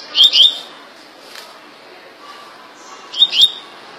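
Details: Double-collared seedeater singing in the quick 'tui tui' style in Rio de Janeiro: two brief high paired rising notes at the start, a pause, then the same pair again near the end.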